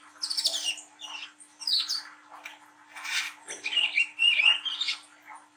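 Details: Juvenile brown-throated sunbird with spotted plumage singing in ngriwik nglagu style, played to encourage young sunbirds to sing. Thin high twittering phrases and scratchy chatter, ending in a sweeter warbled run, over a faint constant hum.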